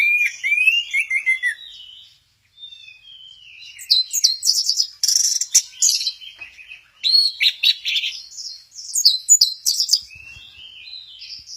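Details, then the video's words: Orange-headed thrush at Kesamben performing its 'goyang inul' sway: rippling descending whistles, a short gap, then a long rich stream of high mimicking chatter, squeaks and buzzy notes in rapid succession. "Burung Anis merah, lagi goyang inul"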